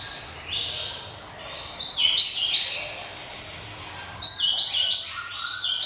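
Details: Java sparrow giving a ringing song: flat, bright high notes in short stepped phrases, a pause, then a second burst of quick, clinking notes with thin higher whistles.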